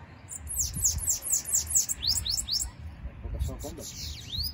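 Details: Bananaquit (sibite) singing while flying loose: a rapid run of thin, high descending whistled notes, about eight within two seconds, followed by a few scattered higher notes over low rumbling background noise.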